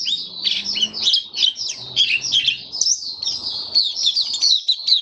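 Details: White-eye in captivity giving open song, 23 March 2022, on a warm-humid-weather diet: a rapid, continuous, high twittering with tightly packed slurred notes.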